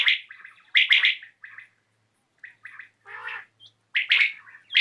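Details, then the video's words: Common quail (batair) heard in the evening: clustered buzzy and clipped notes in short bursts, separated by brief silences, with one lower rasping note in the middle. "COMMON QUAIL CALLING | BATAIR KI AWAZ | AJ SHAM KI RECORDING"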